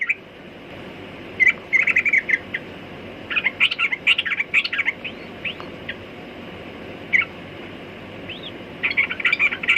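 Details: Sooty-headed bulbul singing: short bursts of bright, bubbly chirping notes, scattered across the clip with quiet pauses between phrases and faint background hiss.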